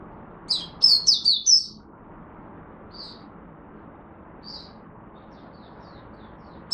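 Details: Oriental white-eye kept as a hobby bird in Singapore, recorded 23 March 2023 in humid, warm, rainy, overcast weather, gives one quick run of about five high, bright, descending chirps, then a few faint isolated notes.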